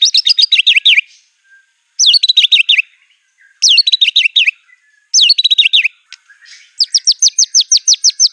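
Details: White-rumped shama singing in an aggressive, showy way. It gives four short bursts of rapid, chattering descending notes, separated by pauses of about a second, then a steady run of repeated sharp rising notes.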